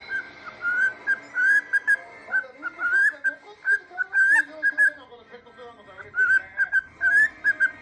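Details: Pet cockatiel with a recently injured left foot, whistling while standing on one leg; clear whistled notes with short, slightly rising phrases repeated in quick bursts, some wavering, with faint background clatter.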